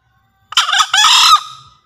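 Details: Lure crow of a green junglefowl from Java, used to stir captive birds into calling. It is one hoarse double crow, with a short rough opening and a stretched, grating second note that dies away softly.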